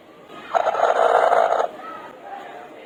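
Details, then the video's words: Young rooster giving a single hoarse, raspy call lasting about a second, rough and buzzy in the middle range, then fading into a quieter trailing note. "Cute Baby Rooster Making Sound / Baby Rooster Makes Noise"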